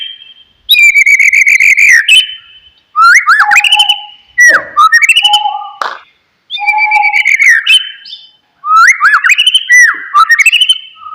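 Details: Loud oriental magpie-robin song for triggering a mute bird to answer: strong whistled phrases with rich harmonics, rolling warbles and lower fluty notes, delivered in bursts separated by brief silences.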